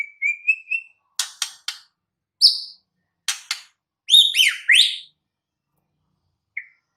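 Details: White-rumped shama singing in the wild: a short run of rising whistled notes, dry clicks, a buzzy note, then a loud cascade of descending whistled slurs, ending with a brief soft whistle.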